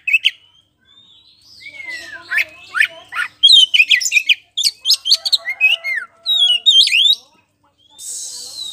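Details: Magpie-robin known as kacer poci, singing in full voice to provoke a rival into answering. Fast, varied chattering and squeaky mimicking notes pour out in dense bursts, ending with a harsh rasp.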